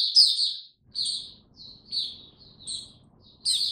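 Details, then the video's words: Caged white-eye in warm, very humid weather giving spaced, high, thin chirped phrases about every half second to second, each a quick squeaky slur, with short silences between. "Mata Puteh Hercules buka sing warm n very humid weather"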